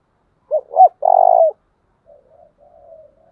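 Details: Decoy Spotted dove making the deep 'chìm' coo meant to stimulate doves in training: two short rising hoots and a sustained level coo, followed by fainter, softer wavering coos that drift on for over a second.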